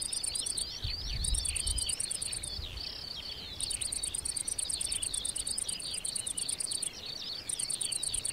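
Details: Eurasian skylark singing a continuous, rapid, high warbling stream of chirps, trills and slurred notes without pause, over steady pulsed insect chirping and a brief low rumble early on.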